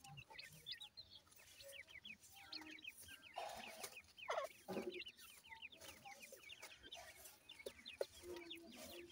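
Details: Grey francolin chicks at feeding and play give steady rows of small, sharp, high cheeping notes, each a brief downward flick, repeated rapidly by several birds at once against a soft background hiss.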